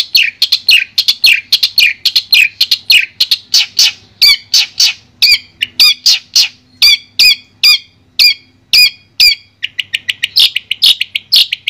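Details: Indonesian long-tailed shrike of the Madura type, a training song for other birds: a long series of sharp high chirps, at first rapid and jumbled, then slower evenly spaced ringing notes, and quickening again at the end.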